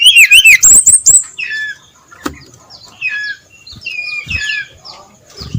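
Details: Brown-chested jungle flycatcher in dawn ngeplong song. It opens with a loud run of quick warbled and high whistled notes, then shifts to softer, repeated downslurred whistles and brief chirps.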